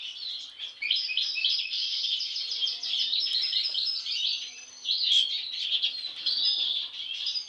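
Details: European goldfinches, siblings, two with an unusual face mask since birth; a dense, continuous high twitter of rapid chirps and buzzy trills, briefly dipping near four seconds before resuming bright and fast.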